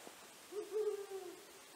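A Brown Wood Owl gives one deep, slightly wavering hoot lasting under a second, with quiet background hiss.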